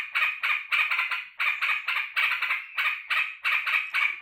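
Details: Sooty-headed bulbul in a cage, excitedly welcoming its owner back from work with a rapid run of bubbling, liquid warbled notes repeated about three times a second.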